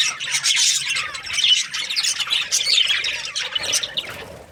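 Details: Budgerigars kept as breeding pairs, chirping together: a dense, continuous wash of overlapping high squawks, chirps and scratchy warbles from several birds, with brief louder squeaky notes rising out of the chatter throughout.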